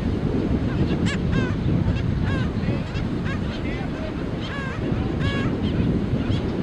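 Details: In a Black skimmer colony, chicks give repeated nasal, slightly downslurred yaps in irregular bursts, many overlapping, over heavy wind noise and surf.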